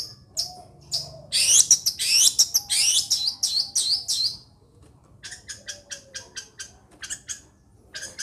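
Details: Long-tailed shrike from Situbondo pouring out a loud burst of harsh, buzzy chatter. A pause follows, then a string of short, clipped high notes repeated at an uneven pace, with a faint low hum behind.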